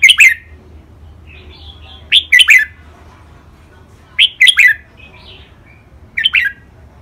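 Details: Caged red-whiskered bulbuls, two birds matched against each other, giving training song in Thai styles called rik, boen, lak wai, mae bot and nap dok: loud, ringing whistled phrases about every two seconds, with soft chattering warbles between them.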